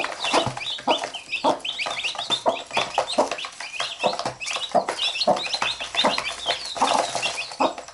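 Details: Mother hen with chicks that keep biting her while she pecks at them. Soft low clucks repeated every half second or so under a steady stream of shrill, downslurred chick peeps and pecking taps.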